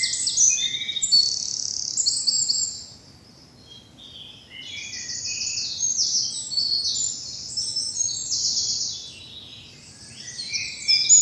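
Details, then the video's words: Early spring morning in bluebell woods in southern England: bursts of high, rapid chirping and trilled song from several birds, pausing briefly midway before resuming. "Birdsong and bluebells in the morning sun"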